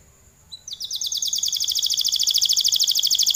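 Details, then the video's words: Canary delivering part of its long song: after a brief thin note, a loud, continuous, evenly pulsed trill of rapid repeated notes builds and holds to the end. "Suara burung kenari gacor kicau panjang"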